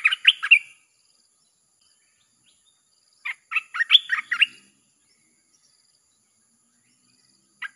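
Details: Red-whiskered bulbul singing the nonstop 'sap' chopping song, used to lure wild birds: a short warbled phrase, a long pause, a longer burst of rapid chirpy whistles, then one lone note near the end.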